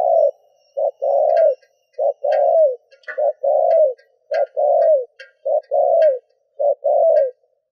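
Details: Decoy spotted dove cooing steadily to draw other doves, short-long coo pairs repeated almost every second, soft clicks and chirps above.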